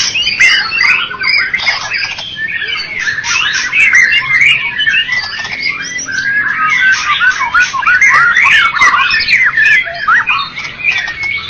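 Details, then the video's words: First-place white-rumped shama, Medan and Java stock, at a bird contest: sustained, rapid medley of chirps, squeaks and whistled slurs, dense and energetic throughout with only short breaks. "Murai batu Medan dan Jawa Juara Satu Pemenang Lomba Bird Copsychus malabaricus Suara Burung"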